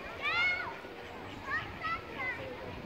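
Black swan giving a high, musical bugling note with a rising-then-falling arch, followed by three shorter, softer calls about half a second apart.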